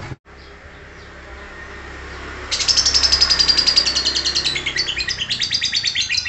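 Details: Lovebird in ngekek style: a low hum at first, then a sudden, sustained rattle of rapid, high, scratchy notes begins partway through and carries on to the end.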